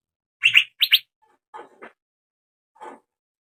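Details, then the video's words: Two loud, bright chirps in quick succession from a young male Asian fairy-bluebird, used as a lure recording, followed by softer, lower, scratchy notes. "PANCINGAN BURUNG CUCAK BIRU TROTOLAN JANTAN AGAR MAU BUNYI"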